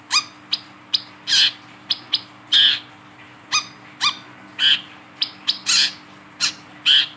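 A Wiceh gives loud, high chirps alternating with harsher buzzy bursts, roughly one each second, with a faint steady hum beneath.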